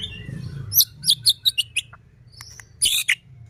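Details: White-rumped shama singing vigorously, used as a lure to make other shamas sing and become agitated; a series of short, sharp high chirps and slurred notes, a pause, then a dense burst of high twittering.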